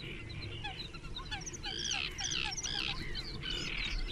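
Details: At a nest among some twenty closely packed great crested grebes, recorded 21 June 2024, loud grating calls with a strained, braying quality rise in the second half, over scattered small-bird chirps and low background noise.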